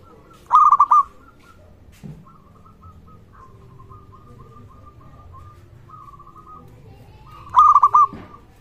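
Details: Local zebra dove (perkutut) call meant to stir other zebra doves to sing and raise their arousal. Two loud stuttered coo phrases come about seven seconds apart, with fainter broken whistled notes and a low knock between them.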